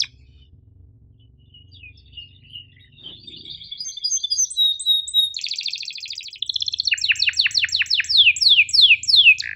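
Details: Canary in full song, a tutor recording with sharp chirps and rolls: soft scattered notes build into a dense high buzzy roll, then a quick run of sweeping downslurred whistles, with a faint low hum at times.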